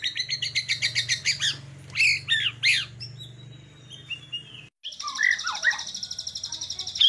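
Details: Showy filler-rich song from a white-rumped shama: pulsed repeated notes, sharp loud chips, a long thin descending whistle, a brief break, then a fast high trill with whistled flourishes.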